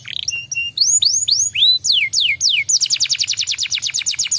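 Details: Provoking canary song for a silent bird: short high pips, upward-curving whistled notes, steep descending slurs, then a fast steady trill to the end.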